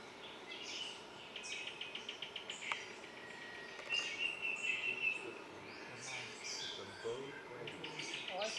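Cuban solitaire singing high, thin whistles and squeaky notes with a quick ticking run, among other chirps and a steady background hiss.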